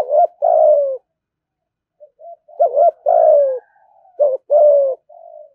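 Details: Spotted dove in "thúc gù" cooing style, praised as a good, fast-calling voice that lures rivals to fight. Repeated phrases of a quick warbled note and a drawn-out falling coo, with faint soft notes between.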